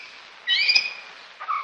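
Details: A male white-rumped shama, one of two living in a man-made nest box in Bavarian woods at a research centre, sings a territorial song: a brief, bright whistled phrase with rich high notes, then a short lower whistle a second later.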